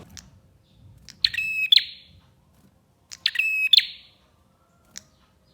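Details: Two loud, buzzy, harmonic song phrases of a bar-winged prinia with sharp clicks, about two seconds apart, plus faint ticks. Serves as a lure to make other prinias sing.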